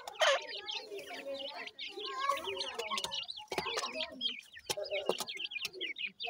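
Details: Many francolin chicks peeping while being fed, rapid high twittering chirps running almost continuously, mixed with occasional low clucks and sharp clicking sounds.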